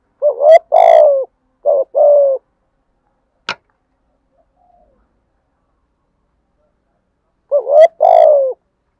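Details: Spotted dove thổ-style coo used to prompt other males to sing. Two phrases of rising then long falling coos, each followed by a shorter coo, with a single sharp click between them.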